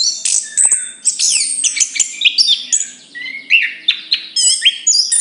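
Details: Rich, hurried song of a chestnut-capped thrush, tumbling high whistles, chirps and downslurred notes packed into phrases with brief pauses, faint low hum behind.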